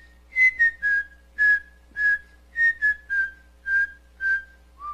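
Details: A pet cockatiel whistles the Brazilian children's tune "Atirei o pau no gato" in clear, steady notes; its owner taught it with a particular method, and it learned the song in 7 days.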